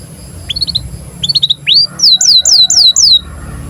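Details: Canary in breeding condition, song for training young canaries: scattered short chirps, then a rising sweep and five loud downslurred whistles about a quarter-second apart.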